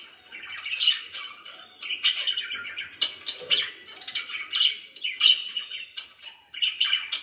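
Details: Budgerigar chirping indoors: sharp chirps and squeaky warbled phrases in quick clusters, with brief quiet gaps between bursts.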